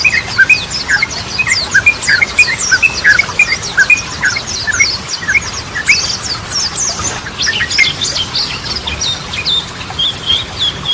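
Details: Yellow-vented bulbul in continuous song, a lure for birds that stopped singing. Dense stream of fast chirps and rising whistles for eleven seconds, thinning near the end.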